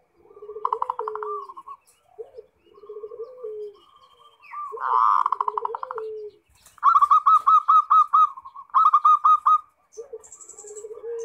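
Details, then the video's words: Zebra dove, a vigorously singing bird in the 'ngerot' style, played as a lure to stir other kept zebra doves into answering; bursts of rapid staccato coo notes near one pitch alternate with lower drawn-out coos, repeated over eleven seconds in quiet surroundings. "Suara Perkutut NGEROT Bikin Birahi & Emosi"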